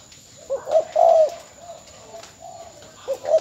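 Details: Decoy spotted dove (mồi mỏ công) from Bến Tre, since sold: a full short-short-long coo phrase, then quiet, then the opening notes of the next phrase at the end.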